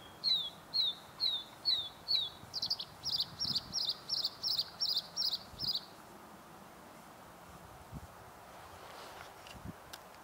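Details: Bluethroat song recorded 9 April 2015: five high, down-slurred notes, then a quicker run of about ten ringing, buzzy notes, in a quiet outdoor setting with faint low rumbles.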